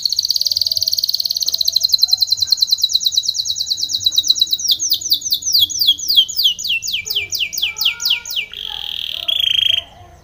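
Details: Long Spanish Timbrado canary phrase for training, opening with a dense buzzing trill, slowing into clipped downward sweeps, and closing with a brief steady whistled note.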